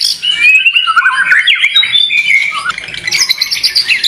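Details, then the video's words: Contest-grade fighter white-rumped shama singing a dense run of chattering phrases mixed with clear whistled slurs and quick chirps, shifting pattern every second or so, with a higher ringing burst toward the end. "Murai Batu Fighter Cocok untuk Kontes"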